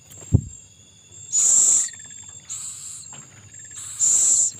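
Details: Owl with young being fed: a sharp click, then three harsh hissing bursts about a second long, the middle one quieter, against a constant shrill insect tone.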